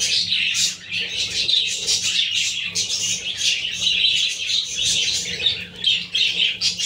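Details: Pair of budgerigars with their babies: a busy, unbroken wash of high twittering chirps and squeaks from many birds, over a constant low background hum.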